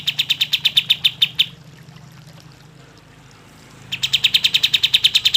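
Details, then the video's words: Kapas tembak bird, played as a lure for birds slow to sing, pours out a rapid string of bright high chirps, falls silent for over two seconds, then resumes with an equally fast run. "kapas tembak gacor cocok untuk pancingan kapas tembak yang malas bunyi"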